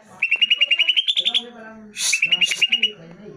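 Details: A greater green leafbird (cucak ijo) song used to make caged birds reply: a fast, even string of high whistled notes, one harsh burst, then another rapid whistled run.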